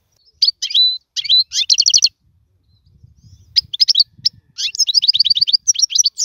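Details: European goldfinch song for teaching young birds: short tinkling phrases of quick chirps and a drawn whistle, a silent stretch midway with faint low murmur, then rapid repeated twittering notes.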